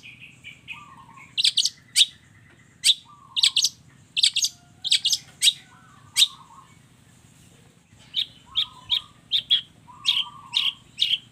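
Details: Long-tailed shrike in busy song full of borrowed phrases: steady high ticking chips roughly every half second, broken by short low whistled slurs, a brief pause near the eighth second, then quicker chips resume.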